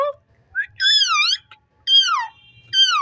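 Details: Talking ring-necked parakeet producing rich harmonic, voice-like syllables that bend down and up in pitch, three main phrases separated by brief gaps, in a quiet room.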